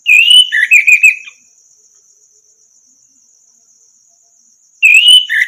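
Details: Orange-headed thrush song played as a training recording for other songbirds: a rich, rapid warbled phrase of about a second with slurred whistles and chattery notes, then a long silence before a rising whistled phrase starts again, a faint steady high hum throughout.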